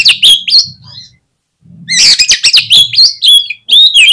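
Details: Oriental magpie-robin singing energetically as a provoking lure: dense bursts of high chirps and fluty slurred whistles, a brief pause, then another vigorous run of varied notes, with a faint low hum underneath.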